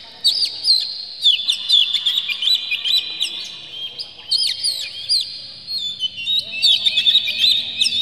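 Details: Excited Oriental magpie-robin, tail open, with clear, harsh varied song meant to spur other magpie-robins into singing. Quick bursts of sharp whistles and twitters come in phrases with short gaps between them.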